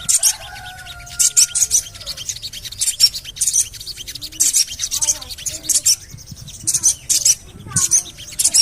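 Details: High, sharp Javan cochoa chirps, 'cuit cuit cuit', repeated in rapid bursts to lure other birds into song; a brief drawn-out lower whistle opens the passage, with light clicking throughout.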